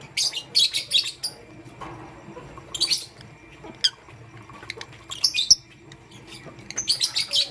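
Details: Morning chirping by pastel gray and green pet lovebirds: quick runs of high, buzzy chirps, then a lull with scattered single notes, then the chirping picks up again.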